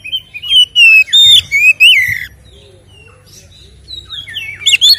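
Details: White-rumped shama song kept as a lure to provoke captive males into fighting mood: loud whistled phrases sliding between high and low notes, with buzzy rising notes, then a quiet pause and renewed whistles.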